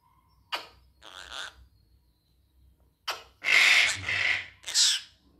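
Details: Red-breasted parakeet kept as a pet, giving harsh, broadband squawks in short bursts, with a longer loud rasping series near the end and quiet gaps between calls.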